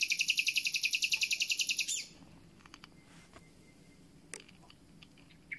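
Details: Just-arrived common nightingale starting its concert: a fast, loud, very regular series of about fifteen harsh, broad clicking notes for two seconds, then near silence with a few faint distant chirps.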